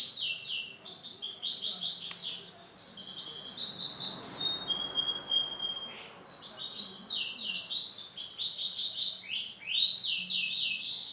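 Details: Male canary with orange and black colour variation singing a continuous, fast song of high trills and rolled phrases, rapid repeated notes sweeping up and down, with brief pauses between bursts.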